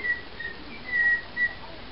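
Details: Pet cockatiel whistling to charm a larger companion parrot indoors: four clear, pure whistled notes on a steady pitch, short notes around one longer, held whistle, over faint room hiss.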